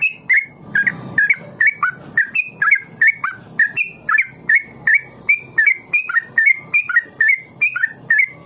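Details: Training recording of a yellow-vented bulbul, called trucuk, giving the long ropel song for young birds to copy. A dense, lively stream of chirps bends down then up, roughly three notes a second, sustained throughout.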